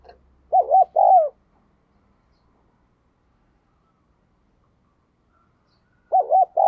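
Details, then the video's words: Spotted dove used as a decoy bird, calling to lure wild doves: two arched, hollow cooing notes near the start, then a similar pair after a long silence near the end. "Chim Cu Mồi Thúc Và Gáy Gọi Rất Sung"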